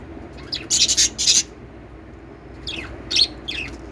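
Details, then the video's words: Lovebirds singing and chirping: shrill, high-pitched squeaky chirps in two short bursts, a tight cluster of three or four rapid notes, then a pause, then another scattered series of thin, sweeping chirps over a quiet background. "love birds singing & chirping sounds"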